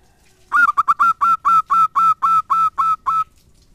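A zebra dove gives a quick run of about twelve nasal, clipped coos, three fast notes then a steadier series, all on one mid pitch.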